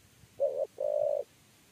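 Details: Spotted dove, 'kuk 3' type, during trapping: a short, mellow coo, then a longer, steady, slightly pulsing coo, low-pitched and clear over faint background noise.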